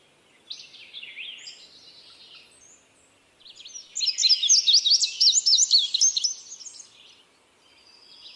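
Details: Indigo bunting giving a few soft high notes, a pause, then a loud two-second run of rapid, sharply rising and falling chirps before fading out.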